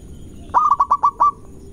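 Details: Single fast phrase from a local Indonesian zebra dove, sung to rile rivals: six staccato coos at a level mid pitch, the last one slightly prolonged, over a quiet background rumble.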